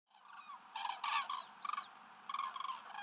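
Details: Common crane (Grus grus), call.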